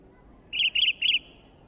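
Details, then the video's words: Three quick, evenly spaced bubbly notes, each slightly trilled and mid-high, from a newly acquired sooty-headed bulbul singing eagerly over faint background hiss. "burung kutilang baru Gacor dor"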